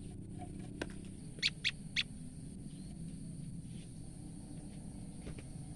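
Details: Olive-backed tailorbird, a female, calling from fear: three rapid, sharp high notes in quick succession, then quiet with low background noise.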